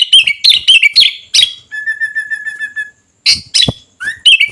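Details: Sooty-headed bulbul singing energetically: bright chirpy phrases around mid pitch, a steady buzzy trilled note held for over a second, then further quick chattering notes.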